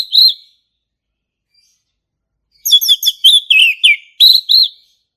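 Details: Forest-recorded male orange-headed thrush in ngeplong song: one bright whistled note, silence, then a rapid two-second string of chirps, falling slurred whistles and two final clear upward whistles.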